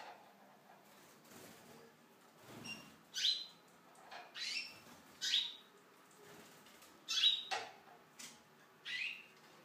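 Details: Tunisian goldfinch housed in an aviary, giving a run of high, buzzy twittered notes roughly every second, with faint lower rustling at the start.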